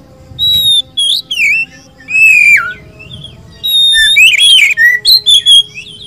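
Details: Oriental magpie-robin (kacer) of poci or local type in gacor song: drawn-out clear whistles, a falling slur, then a faster cluster of bright warbled notes, with low background hum.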